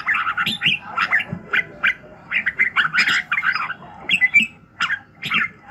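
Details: Morning vocalising of a red-whiskered bulbul, used to train and excite other bulbuls; harsher, scratchy chattering phrases mixed with whistled notes, in quick bursts with short gaps.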